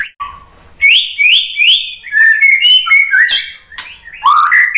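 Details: White-rumped shama song used to provoke fighting males: a brief low whistle, then a rapid series of rich rising whistled notes around the upper-middle range, followed by varied slurred phrases and sharp chips, loud and clear.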